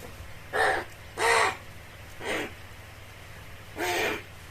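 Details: Crow giving four harsh, hoarse caws, each about a quarter second long and spaced unevenly over four seconds, the last one drawn out, over a steady low background rumble.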